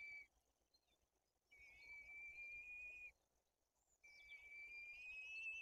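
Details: White-tailed eagle nest in Bory Tucholskie, Poland, with chicks being fed fish and the older one aggressive; faint, thin sustained whistles, each over a second long, the last rising slightly, with soft background noise.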